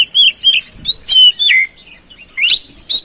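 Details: Oriental magpie-robin song used as a lure to get a stressed or silent bird singing: sharp whistled notes sliding up and down, in short bursts roughly every half second, with one swooping downward slur, no other sounds.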